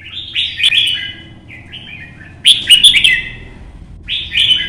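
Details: Red-whiskered bulbul, solo competition singing in early sun while moving between perches: a rolling whistled phrase, a softer short figure, then loud sharp accented notes and a final bright burst.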